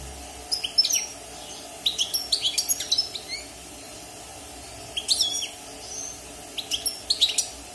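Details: Singing European goldfinch, wild-born and caged six months after moulting, delivering a lively run of rapid high twitters and buzzy trills in three busy bursts, faint indoor hum behind.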